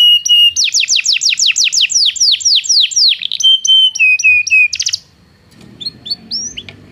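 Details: Belgian canary song meant to teach non-singing canaries: a steady whistle followed by a fast series of descending sweeping notes, then level whistled tones and a short burst, ending with faint chirps over low background noise.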